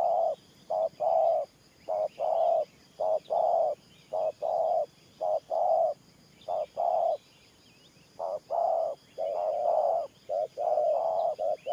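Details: Long, unbroken series of paired coos from a spotted dove, Thổ Pha style, each a quick low note followed by a held one, a dozen or so pairs with a short pause midway, distant chirps behind.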